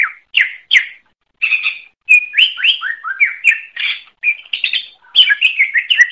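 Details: Vigorous song (gacor) of a greater green leafbird on a tutor track for songbirds: separate whistled notes and short slurred phrases, some falling and some rising, that speed up into a fast, jumbled warble toward the end, with clean quiet gaps between them.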